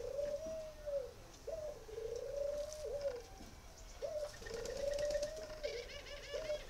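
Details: Spotted dove from northern Vietnam giving its coo: low, mellow phrases of drawn-out hooting notes repeated roughly every two seconds, with faint chirps of other birds in the background.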